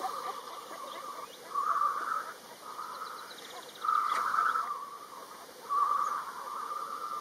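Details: Black grouse at a lek in Kurzeme, Latvia. Loud, rolling, cooing phrases of about a second repeat steadily, some louder than others, with a hum of further lekking birds beneath.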